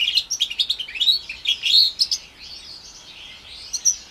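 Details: House finch and canary hybrid, about four months old, orange/brown Timbrado cross: quick chirped notes build into a twittering phrase, then trail off into a softer sustained warble.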